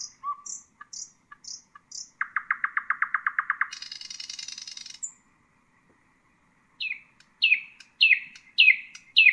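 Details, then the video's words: Nightingale song for teaching young birds: spaced high chips, a long fast volley of repeated throaty notes, a harsh buzzy trill, a pause, then a series of loud descending slurred whistles. "أفضل تغريد للعندليب الحسينة لتعليم الفراخ"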